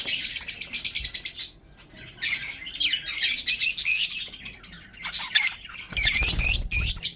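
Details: Breeding budgerigars, also shown eating food, chatter in loud rapid buzzy warbles and scratchy chirps, broken by a short silence, then resuming in bursts.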